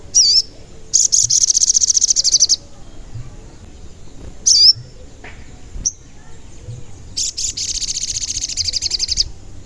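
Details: Sogon song played as a lure to trigger calling in other sogon: short high whistled notes alternate with long, fast, high-pitched rattling trills lasting up to one and a half seconds, separated by quiet gaps.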